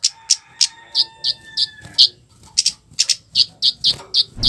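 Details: Harsh flowerpecker lure call used to make other flowerpeckers respond: a fast run of high, sharp chips, some doubled, with a few faint steady whistled tones running beneath the early part.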